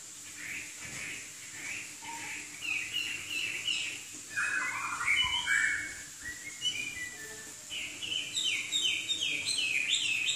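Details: Male Chinese hwamei (Garrulax canorus), a songbird from southern China able to imitate other birds, sings rich, varied whistled phrases, quick slurred notes and descending runs in steady succession, over a faint high steady hiss.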